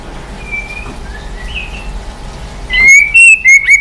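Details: White-rumped shama in dây yến style, switching voices and flicking its tail; faint high whistles at first, then a loud burst of clear, ringing whistled notes near the end.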